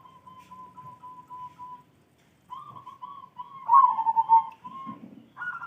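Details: Zebra dove singing in the morning: a long steady whistled note, then a pause, then soft cooing phrases that swell into a louder rolling, trilled coo and end on a higher whistle.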